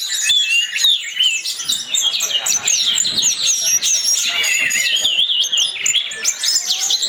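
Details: Lure song of the orange-headed thrush, known locally as anis merah, to encourage others to sing: fast, dense chatter of whistled notes, downslurs and twittering trills running continuously.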